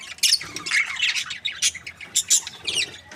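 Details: Breeding pair of budgerigars, described as happy, giving busy chirps and squawky chatter, dense bursts of high scratchy notes with short warbled phrases, overlapping calls throughout.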